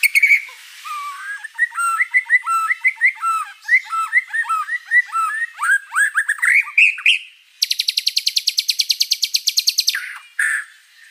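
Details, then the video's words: Vigorously singing white-rumped shama with a varied repertoire: bouncing phrases of rich whistles, then a long fast rattling trill of about two seconds and a closing squawk. "MURAI BATU GACOR ISIAN BANYAK"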